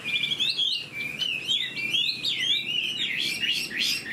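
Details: Caged Chinese hwamei with fanned tail and fresh new plumage, singing while flicking its tail like a laughingthrush; rich, continuous warbled phrases of rising and falling whistles, varied and fast, with no other sounds standing out.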